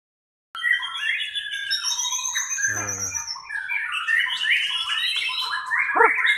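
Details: White-rumped shama in a simulated 'pastol' class songbird contest; after a brief silence, a dense, rapid stream of warbled and whistled phrases, with a harsh descending buzzy note near the middle and another near the end.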